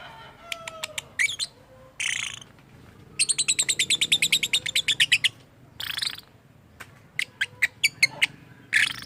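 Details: Lovebird with a weird call, described as human-speech mimicry: scattered high chirps, harsh buzzy squawks, and a long fast train of sharp shrill pulses, followed by further chirps.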